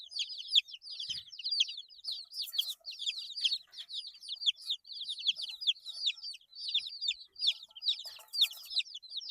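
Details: Young chicks at eight days old giving a continuous chorus of shrill, falling peeps, evenly dense throughout, with occasional faint rustling bursts.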